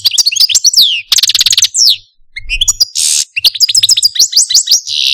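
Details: Caged pet Algerian Parva goldfinch with a complex song: dense trills, a loud buzzy burst, then descending sweeps and twittering notes in quick succession.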